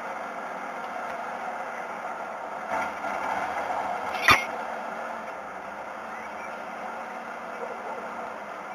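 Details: Steady urban traffic drone with faint speech and a single sharp knock midway, no animal calls audible.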